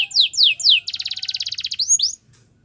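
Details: Belgian canary singing as a warm-up before meeting females: three loud descending whistled sweeps, then a quick rattling trill of about twenty notes, closing with two rising whistles.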